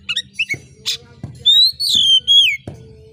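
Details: Oriental magpie-robin singing prolifically with sharp screeches meant to rouse competition birds: short chirps, then a harsh burst and loud ringing whistles sliding downward, over a steady low ticking in the background.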